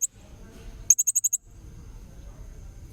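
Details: Blue-crowned hanging parrot, a tutor recording for young magpie-robins, with one brief burst of six very high, sharp, evenly spaced notes amid quiet low background hum.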